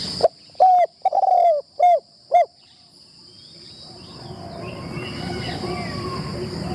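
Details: Spotted dove on its first decoy-trapping practice in an enclosure. Five rounded coos come in quick succession, the second longest, all gently falling. Rustling noise then builds, with a continuous high-pitched whine in the background.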